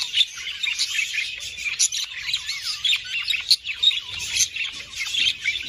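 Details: Budgerigars warbling, offered to prompt mating; lively overlapping chirps with looping, slurred whistles and sharp clicks, one bird's curling notes clearly heard over the busy chatter.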